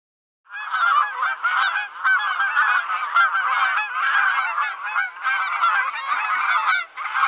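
Geese honk loudly and continuously, harsh nasal calls overlapping from several birds with brief pauses every couple of seconds.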